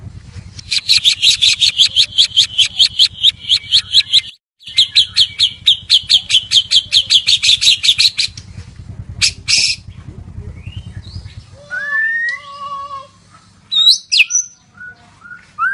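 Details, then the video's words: White-rumped shama singing a lure song meant to trigger other shamas: a long run of rapid, harsh chattering notes about two and a half per second with a brief break, then a few clear whistles and slurred notes. "Pancingan 100%Ampuh Murai Batu Gacor"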